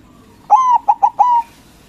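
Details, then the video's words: White local zebra dove singing loudly, a lure meant to provoke rival doves into answering: one phrase of a long drawn-out coo, two short clipped notes, then another long mellow coo, over a quiet background. "Perkutut Putih Gacor Suara BESAR bikin Cepat Emosi Lawan Auto Nyaut Seketika"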